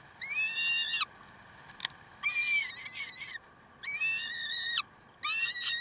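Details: Recorded at Karlsruhe on 30 May 2010, 7:27: peregrine falcons crying in four long, harsh, overtone-rich wails roughly a second each, separated by short gaps, with one sharp click between the first two.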